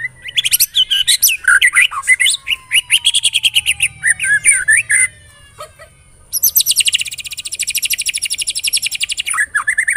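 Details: White-rumped shama singing a pancingan lure to rouse other shamas: a long run of varied whistles and slurred phrases, a brief pause, then a fast, even, high-pitched rattling trill lasting several seconds.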